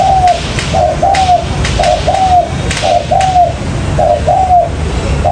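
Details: Trapping lure of a spotted dove giving soft, low cooing notes in steady groups of two or three about once a second, set against heavy continuous hiss with faint clicks.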